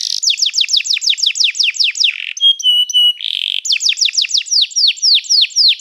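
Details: Canary song used for training a canary: runs of rapid downward-sweeping whistled notes, a brief pure whistled tone and buzzy roll, then more quick descending notes repeated several per second.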